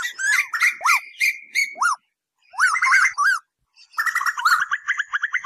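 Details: Night-time lure recording of Asian koel: sharply rising whistled notes mixed with dense, fast chattering bursts, in three loud bouts separated by brief silences.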